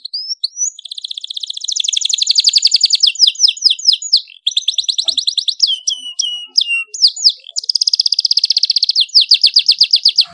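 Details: Domestic canary singing loudly as a master bird for young canaries: long rolling trills of very rapid high notes, interrupted by choppy clusters of sharp downslurs and brief pauses, then another sustained fast trill.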